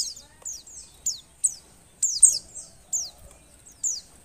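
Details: A female Oriental white-eye in breeding condition produces single high, thin, descending notes about every half second. This call is used to stimulate lazy males to sing.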